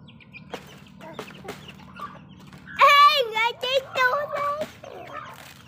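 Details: Feeding backyard chickens cluck in short dry taps, then one hen breaks into a loud, wavering, quavering run of harmonic cackling notes lasting nearly two seconds before fading back to soft clucks.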